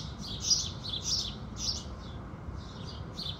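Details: House sparrows singing with the rising sun in the morning: short bright chirps in quick irregular bursts, roughly two per second, over a steady low rumble of background noise.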